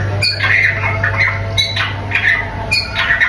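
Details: White-rumped shama song with harsher notes. Scratchy, squawking phrases mix with short flat whistles in bursts, with a low steady hum in the background.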